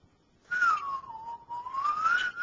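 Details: Whistling "Dixie" imperfectly, a pet male cockatiel holds one long smooth note that slides downward, dips briefly, then climbs back up over about two seconds.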